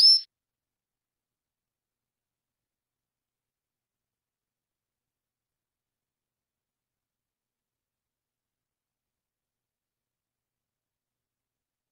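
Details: Silence fills nearly the whole stretch, broken only by a tiny high chirp in the first fraction of a second.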